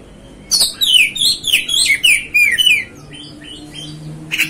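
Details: Oriental magpie-robin, a kacer, giving a series of loud descending whistled and slurred notes, each dropping in pitch, delivered in a quick run, then softer scratchy phrases and a sharp final note.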